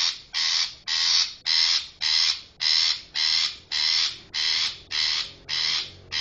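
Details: Long-tailed shrike lure call for trapping birds, a steady series of about eleven loud, scratchy, rasping notes spaced evenly at about half-second intervals.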